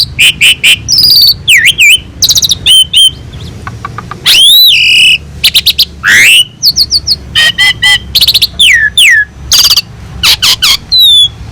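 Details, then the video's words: Asian pied starling in long, elaborate song used as a master for teaching other birds: rapid chips, long rising and falling whistles, sweeping upslurs, rasping bursts and quick repeated slurred notes, almost unbroken. "Masteran burung jalak suren gacor || full isian mewah"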